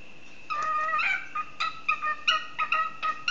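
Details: A caged pet cockatiel tries to join a jig played on the tin whistle, producing bright, slurred whistles and brief chirpy notes in a lively, uneven rhythm.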